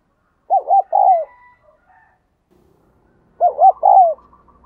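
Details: Spotted dove acting as a decoy to lure wild doves, in the thúc and gáy gọi bổi styles. Two matching phrases roughly three seconds apart, each with two brief hoots and then a long downward-sliding coo. Faint background sounds in between.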